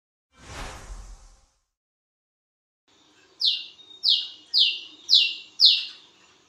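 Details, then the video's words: Wiceh bird calling at midnight: after a brief burst of noise, five loud, clear whistled notes follow, each sliding downward, given about every half second. "BURUNG WICEH MEMANGGIL WICEH GACOR TENGAH MALAM"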